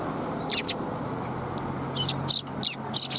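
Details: Sparrows at a Tenmangu shrine, afternoon of 21 January 2022, utter scattered short, high chirps in small groups against a constant low rumble of passing traffic.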